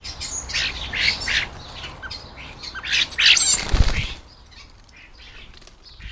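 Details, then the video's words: Common starlings feeding at a garden bird table in the UK at lunchtime, a noisy, lively group: harsh chattering and squawky bursts in quick succession, with wing flaps and a thud near the end, then quieter background calls. "Noisy, lively and always enjoyable to watch as the starlings hit the garden bird table for lunch"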